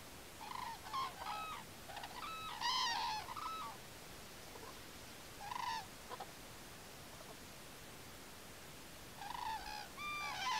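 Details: Common cranes at Campo Maior give loud, rolling, trumpeting calls in several overlapping bursts, with a long pause before the last outburst, over soft background hiss.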